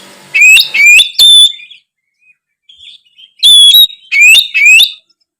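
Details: Kacer, the oriental magpie-robin, singing constantly to prompt reluctant birds to sing: two clusters of three or four loud rising whistles, each sliding up and then held, with a near-silent gap between them.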